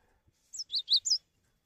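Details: Cinereous tit singing to draw other tits into calling: a rapid run of four high, clear whistled notes alternating higher and lower pitch, in just over half a second.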